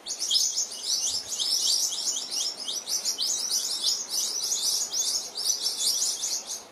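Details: New Holland honeyeaters (Phylidonyris novaehollandiae), a noisy group near a resting mother Western Grey kangaroo and her joey, pour out dense, overlapping high chattering and twittering notes in a continuous rapid stream.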